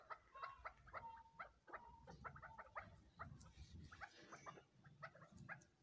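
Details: Crossbred chukar chicks utter brief chirps mixed with a few drawn-out, level whistled notes early on, then a run of quick clucks, over a rumbling low background.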